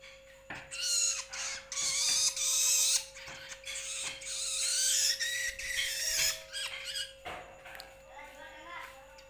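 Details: Young long-tailed shrike, locally toed or bentet, producing scratchy, hissing rasps that blend into noisy stretches, broken by clicks and knocks, with a constant mechanical hum underneath.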